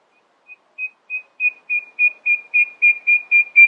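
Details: Nightingale in early morning song, giving a steady series of clear whistled notes that grow louder and slightly longer, about four per second, with no other sounds.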